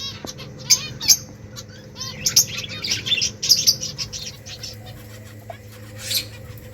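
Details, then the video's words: A group of finches eating rice makes a run of short, bright chirps, some doubled, repeated irregularly for several seconds before thinning out, with a faint constant hum underneath. "Beautiful finches eating rice 🍚 birds chirping sounds"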